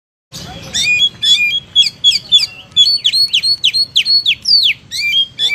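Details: Oriental magpie-robin (kacer) in full "gacor" song: a fast run of loud whistled notes, many of them sharply falling slurs, with a steady background hum.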